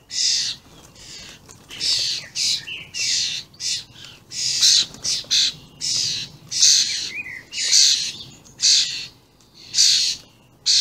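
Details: Common starling juveniles and adults calling persistently on 28 May 2016: regular harsh, buzzy squawks, roughly two each second, with occasional brief whistles.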